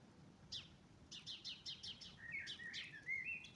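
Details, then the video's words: In spring at dawn a bird gives about six short, evenly spaced high notes, then breaks into a slurred, warbled whistled phrase that rises toward the end. "Весна пришла под пение птиц"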